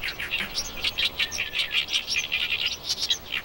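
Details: Oriental reed warbler singing in early-summer reed beds on Eulsukdo, the Nakdong River delta wetland in Korea, where it returns every year to breed: loud, harsh, chattering notes repeated rapidly, grating and high-pitched, in an unbroken run.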